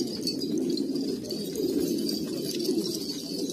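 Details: A flock of traditional Kabul pigeons, Afghanistan, cooing in a dense murmur where a few clearer drawn-out, wavering coos rise above the rest, alongside light clicks.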